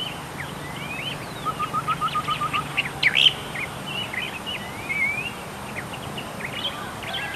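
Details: Song of the tektekreyod bird: a quick series of about nine short, evenly spaced low notes, surrounded by high slurred whistles and rising and falling sweeps, over constant outdoor hiss.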